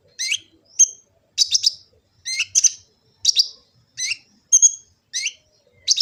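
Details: Sunbird (kolibri ninja) recorded in Gresik, East Java on an Android phone for bird training: steady series of high chirps in twos and threes, each group roughly every half second.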